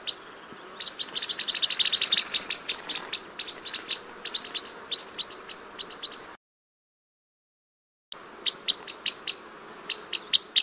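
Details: Crossbill song of rapid, high, clipped chirps, loud and crowded at first, then thinning to scattered notes; a short total silence interrupts before the chirping resumes.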